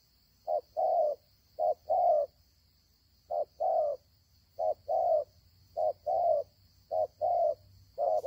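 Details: Freshly caught wild spotted dove, praised for its voice, giving soft low paired coos, a brief note then a fuller drawn-out one, repeated about once a second with a pause midway. A faint high hum runs behind.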